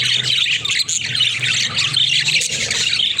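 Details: Caged budgerigars at play fill the air with a thick, nonstop mix of shrill chirps, squeaks and warbles, with a faint low hum underneath.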